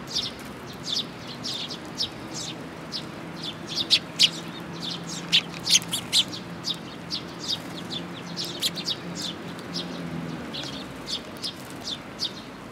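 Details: A group of sparrows coming to a feeding spot on a bridge railing by a shrine, 9 June 2022; dense, continuous high chirping and twittering from many birds, with low traffic-like rumble beneath.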